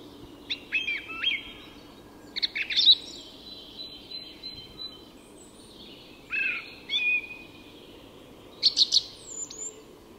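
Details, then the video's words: Song thrush singing at dawn in Tyresta National Park, Sweden: separated bursts of sharp, clear whistled phrases every couple of seconds, over a steady low background hum. "Song Thrush at Dawn"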